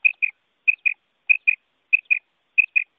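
A female quail gives paired high, clear notes, a quick double 'pit-pit' repeated about every two-thirds of a second, against a silent background.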